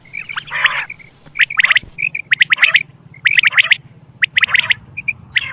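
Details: Quail call used to lure quail for hunting: short bright clipped notes in quick pairs and triplets, mixed with harsh rasping bursts, irregular timing, faint low hum beneath.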